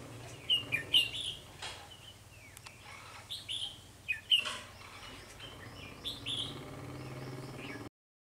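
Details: Decoy Red-whiskered bulbul singing during trapping of wild birds early in the season, 3 November 2020: short whistled phrases repeated every second or two, mixed with clicks and low background noise, ending in silence.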